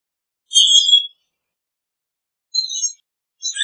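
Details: Common grackle giving creaky, squealing high notes: one longer squeaky burst, then after a pause two shorter scratchy squeaks in quick succession; no other sounds audible.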